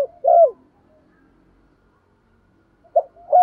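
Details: Spotted doves, male and female, used for stimulating trained doves: a single burry coo that falls away at the end, then a long silence before another short note and a rising, sustained coo at the close.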